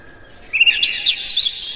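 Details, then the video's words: White-rumped shama song used as a lure to excite other shamas: after a quiet start, a quick run of high, sharp chirps and twittering notes fills the last second. "KACER NGEPLAY GACOR NEMBAK-NEMBAK ISIAN, PANCINGAN AMPUH NAIKAN EMOSI KACER"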